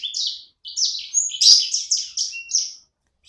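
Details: Little sanger bird singing vigorously at home gives a tight series of high, downward-sweeping whistled chirps, about three per second, with one harsher burst in the middle.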